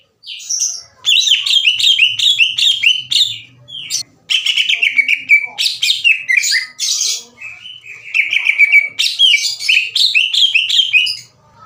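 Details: Greater green leafbird, a kept songbird in full loud song, aggressive and challenging another leafbird to fight: dense runs of sharp, rasping chattered notes and rapid whistled phrases, delivered in long bursts separated by brief pauses.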